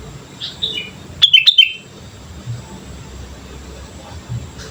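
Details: Vigorous sooty-headed bulbul song used as a lure: faint soft notes, then one loud, fast phrase of bright bubbling whistles lasting under half a second, followed by near quiet with a low hum.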